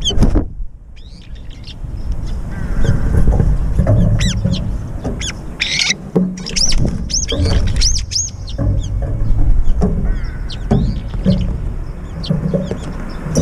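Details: Brown-eared bulbuls squabbling to take over a feeder during aerial chases: dense, overlapping shrill squeals and sharp harsh notes from several birds throughout, with constant low-pitched background rumble.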